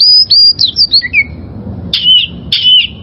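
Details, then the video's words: Wild oriental magpie-robin singing, recorded as training material for caged birds: clear high whistles held level, then short downslurred notes, a lower slurred phrase, and two loud sweeping whistled notes near the end. "Masteran Suara Burung Kacer Liyar"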